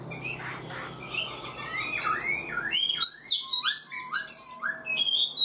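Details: A black-throated laughingthrush, caged four months, sings a rich sequence of rising whistled slurs and quick high notes, growing louder and more varied toward the end.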